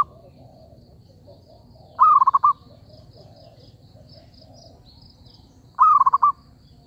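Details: Lure call of a zebra dove for trapping, two short rolling trilled coos nearly four seconds apart over quiet background hum and faint high chirps.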